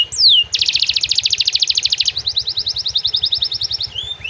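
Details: Nonstop canary singing packed with borrowed prenjak and ciblek phrases: a single falling whistle, then a dense rapid rattling trill sliding into crisp ticking upswept notes, over a faint steady low pulse.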